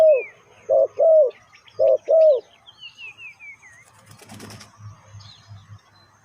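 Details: Spotted dove lure call used to draw wild birds: five low, hollow coos in two quick groups, then a burst of wing flapping and faint chirps from other birds.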